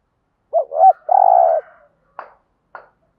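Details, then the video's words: Spotted dove cooing to stimulate decoy doves to coo back: a short double hoot, then a longer steady mellow coo, followed by two faint clicks. "tiếng chim cu gáy kích bổi hiệu quả mỗi ngày. bổi nghe gáy theo"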